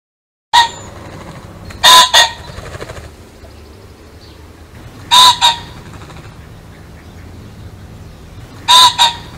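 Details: Repeated pheasant calls, each a loud coarse note followed closely by a shorter second note, coming roughly every three seconds over a faint steady hum.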